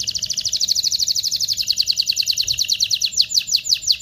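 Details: Singing canary, song meant to stimulate mating, delivering a fast rhythmic trill of repeated chirps for four seconds with slight pitch shifts and a quickening pulse near the end.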